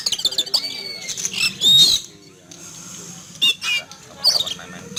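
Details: Caged Oriental magpie-robin sunned in a yard in the morning, calling noisily in fright after seeing an eagle fly over: bright, varied high whistles and harsh chattering bursts separated by quieter gaps.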